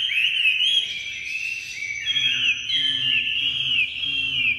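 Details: Tame captive Chinese hwamei, newly arrived and singing indoors, giving loud, rich whistled phrases with sweeping slurred notes high in pitch, delivered continuously; faint low hum underneath.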